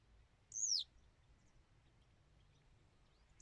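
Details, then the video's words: Western yellow wagtail uttering one thin, high, descending note, followed by a quiet pause and the start of another call at the very end. "Пение жёлтой трясогузки"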